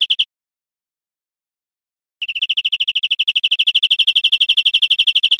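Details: European Greenfinch singing in Spain, 2013: a brief high trill, then after a pause a long, fast run of rapid repeated notes at steady pitch that grows slightly louder, with no other sounds.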